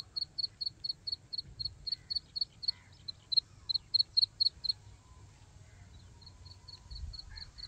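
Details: Chick of the black francolin giving loud, sharp high peeps in a quick steady series, then pausing and resuming more softly near the end over faint low background noise.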